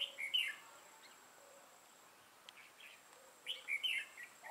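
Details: Decoy red-whiskered bulbul, dark-bibbed lân-crested type, singing during trapping in November 2018: two brief bursts of lively warbled chirps separated by a quiet gap of about three seconds, with a faint steady high hiss.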